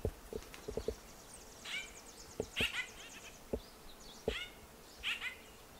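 White-winged grosbeak giving short, husky, downslurred call notes about every second, among sharp woody clicks and knocks and a faint high twitter.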